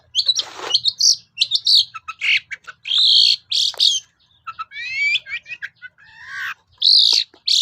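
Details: Lure song of a long-tailed shrike meant to provoke silent birds into answering: a varied, high-pitched medley of harsh buzzes, thin whistles and quick rising sweeps, delivered in choppy phrases with short pauses.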